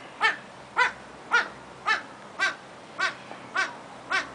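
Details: Satyr tragopan at Artis zoo in Amsterdam, a captive bird; loud harmonic wailing calls repeated steadily about every half second, eight notes in a row, each a short falling bleat with layered tones.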